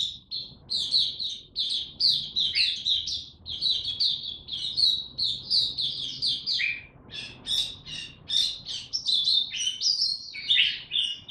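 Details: Oriental white-eye ramping up form and singing a fast, unbroken stream of high, thin twittering notes, with a few lower slurred phrases near the end; no other sounds intrude.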